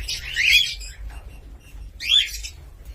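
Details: Cockatiel giving two loud, piercing calls about one and a half seconds apart, each a scratchy note that swoops up and then drops, with silence between them.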